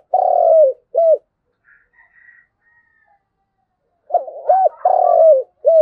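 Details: Spotted dove calling to gather its flock: a long coo and short note, a quiet pause with faint high chirps, then a full phrase of arched coos, a drawn-out coo and a final note.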